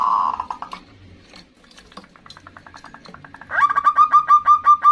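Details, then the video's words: Female zebra dove calling to a male: a short series of quick, clipped notes near the end follows a blurred tonal opening and faint rapid ticking. "Suara perkutut betina memanggil jantan"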